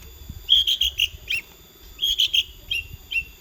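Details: Long-tailed shrike song in two phrases of clear high whistled notes, each run of four or five notes dropping at the end into a lower slur, with quiet low background noise.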